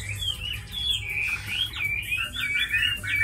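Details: A caged, tamed Chinese hwamei sings a brief sequence of sweeping whistles, gliding up then dropping, followed by quick looping notes, loud and clear against a quiet room.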